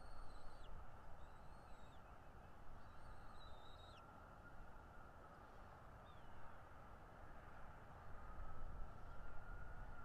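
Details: Bald eagle calling at a Northeast Florida nest, nest camera, morning of 13 February 2022: a quick run of high, thin whistled notes, each rising then dropping, in the first four seconds, then one faint note later, over constant low rumble.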